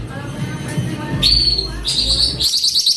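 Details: Cucak ranting (grey-bellied bulbul) singing energetically: a sharp rising whistle leads into a fast, high, evenly repeated trill, over a low background rumble.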